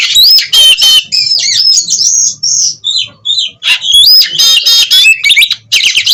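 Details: Oriental magpie-robin kept at an Indonesian breeding farm in Cirebon, singing hard in 'gacor konslet' style, puffed and tail-fanned: loud rising whistles and scratchy trills in quick bursts, a quieter run of short notes midway, then more ringing whistled phrases.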